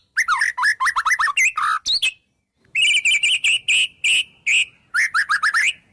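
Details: White-rumped shama song packed with phrases of other wild birds: fast chains of varied whistled notes, a short pause, then a steady string of repeated buzzy notes at one pitch, ending in more quick whistles.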